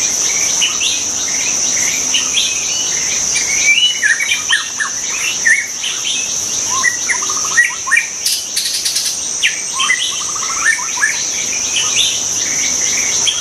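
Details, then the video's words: White-rumped shama singing in the wild: dense, varied whistled phrases with rapid repeated notes and rising slurs, steady throughout, over a continuous shrill insect drone. "kicau burung murai batu di alam liar"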